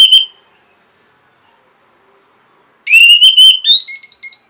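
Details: Orange-headed thrush singing energetically, a recording used to stimulate and train caged birds to sing: one short whistled note, a long silence, then a loud rapid run of clear whistled notes with rich overtones that ends in a steadier high whistle.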